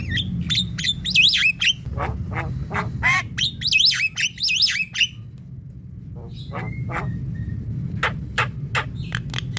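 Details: Javan myna calls played to lure wild birds, bahan and ombyokan style: a jumble of harsh clicks and squawks mixed with looping whistled notes that rise and fall, then sparse sharp clicks and short whistles over low rumbling background.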